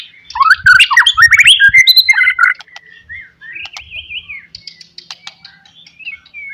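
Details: White-rumped shama song to provoke rivals: an energetic burst of fast slurred notes, then softer scattered whistles and a drawn-out rising-falling phrase.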